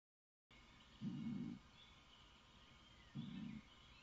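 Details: Stock doves courting on 1 June: two deep, hoarse cooing bursts about two seconds apart, each around half a second long, over a quiet steady background hiss.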